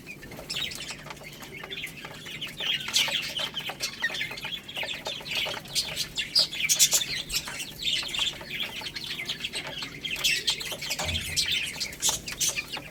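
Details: Young chicks at a rice feed, a continuous chorus of thin, high peeps from several birds over steady pecking clicks.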